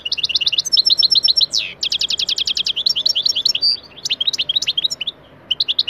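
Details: European goldfinch lesson song meant for teaching pet goldfinches: rapid, tinkling, twittering phrases of quick repeated high notes, broken by a buzzy rising slur and short pauses, clear and dominant with no other sounds.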